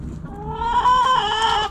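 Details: Backyard rooster among hens: a loud, sustained, harmonic crow starts after a brief quiet rumble, rises and holds steady for about a second, then wavers slightly at the end.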